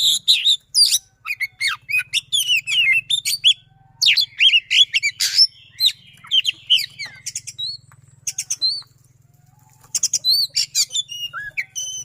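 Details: Oriental magpie-robin (kacer) singing a fast, dense, long-running song in the 'roll tembak' style, used as a lure for non-singing magpie-robins: rapid high whistles, sharp chirps and trills in quick bursts, a short pause near nine seconds, faint low hum underneath.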